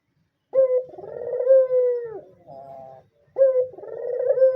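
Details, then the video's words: Loud coo of a white dove, a recording for luring, tutoring young doves and rousing males to mate: a sharp opening note, a long throaty tremolo purr sliding lower, a brief softer tail, then a second coo beginning. "suara burung puter putih gacor dor"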